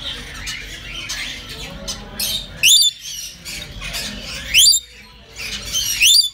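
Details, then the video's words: A captive red lory parrot in Riyadh, Saudi Arabia, gives harsh, rising screeches about every two seconds, with broad noisy chatter between them. "Red Lory Parrot"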